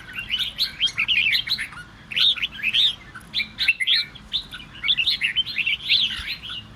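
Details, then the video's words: Red-whiskered bulbul singing to provoke other bulbuls into singing; bright whistled, warbling phrases in bursts of about half a second, separated by short pauses, with a quiet background. "Chào Mào Kình Kích Chim Bạn Dễ Ché. Âm Thanh Kích Chào Mào Ché"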